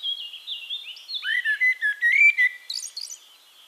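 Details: Castricum, the Netherlands: a singing Eurasian blackbird gives a long, smooth fluted phrase of pure whistled notes, finishing with a high scratchy twitter, while a thin whistle runs behind.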